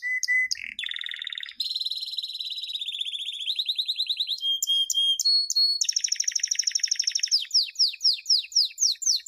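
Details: Champion canary song for training young birds, recorded 2016: a varied run of pure whistles, buzzy mid-pitched rolls, a long rapid high trill and closing repeated falling sweeps.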